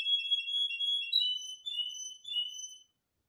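A nightingale gives a run of pure, high whistled notes, some long and drawn out, some short and chipped, for about three seconds with nothing else heard.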